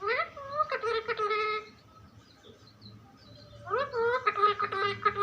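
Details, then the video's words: Talking pet parrot utters speech-like phrases with a rising onset and buzzy rapid pulses, pauses, then starts another similar rising, chattering phrase. "Funny parrot talking video"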